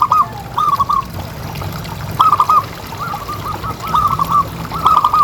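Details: Local zebra dove (perkutut) with a big voice, its call used to prompt other doves to keep calling: short fast bursts of rapid clipped notes, repeated at intervals of about one to two seconds, over a steady low rumble and trickling background.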